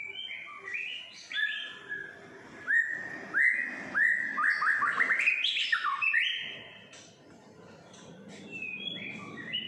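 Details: Caged white-rumped shama, six and a half months old, in the morning outside an apartment in Singapore: varied clear whistles and warbled phrases, some rising and falling, among faint background bird calls.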